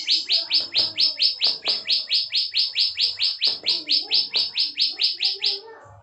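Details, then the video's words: Bar-winged prinia (ciblek sawah) in lively song: a steady series of about 25 buzzy, slightly rising notes, roughly four per second, even and loud, with faint low background knocks. "CIWAH PRENJAK KLIK PALING GACOR NGEBREN"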